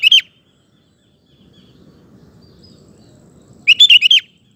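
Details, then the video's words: Sooty-headed bulbul singing energetically, recording meant to lure other males into singing: a short bubbly phrase cut off at the start, a pause over low rumbling background noise, then a fuller burst of quick warbled notes. "Kutilang Gacor Ampuh untuk Pancingan Maupun Masteran Burung"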